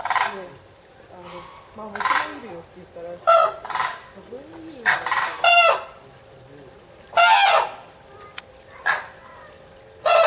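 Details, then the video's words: Red-crowned crane at Higashiyama Zoo and Botanical Gardens, Japan, in June 2010: a rapid series of loud, harsh trumpeting notes, some paired, interspersed with quieter lower calls, possibly a second bird. "タンチョウの鳴き声（東山動植物園）Japanese crane Scream"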